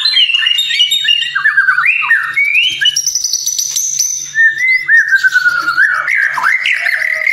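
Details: White-rumped shama (murai batu) singing in the kretekan style on a training recording meant to provoke emotion. A rich, varied stream of whistled phrases, with quick slurred notes, rising and falling sweeps and a sustained high whistle in the middle.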